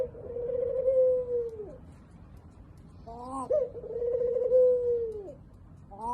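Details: Low, drawn-out coos from a spotted dove, two long sliding notes with a short rising note between them, over steady low rumble.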